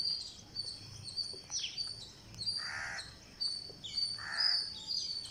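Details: Feeding time on day 49 for a green parakeet, which gives two drawn-out, harsh, buzzy begging calls about two seconds apart over continual high-pitched chirping from other birds.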